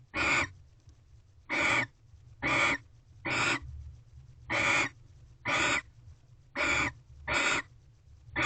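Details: Second night of barn owl mating at a nest box, 18 February 2023, evening; a steady series of nine short, hoarse hisses, bright and broadband, coming roughly every second with quiet gaps.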